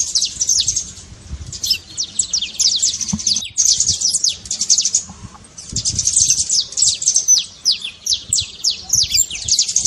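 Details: Saffron finch trincado, the trilled song for waking a quiet bird into song: bursts of shrill, fast descending notes in several phrases, with two short gaps and a soft low hum beneath.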